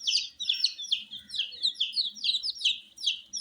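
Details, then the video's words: Young domestic chicks, coloured and kept warm, calling with clear high cheeps that slide downward, about three per second, each fairly short and bright, faint background murmur. "Witty MURGI Baby "Chicks Chirping" Sound"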